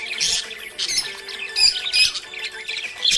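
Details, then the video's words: Happy budgerigar giving harsh, scratchy chatter in short bursts of squawks and chirps, separated by brief quieter gaps, with a thin high whistle near the middle. "Happy budgie chirping sound"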